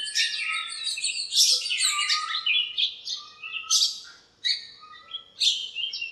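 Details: Backyard birds crowded in a lemon tree on a bright morning, fighting and calling to each other: a dense tangle of high twittering chirps and quick falling notes, with a short lull near four and a half seconds.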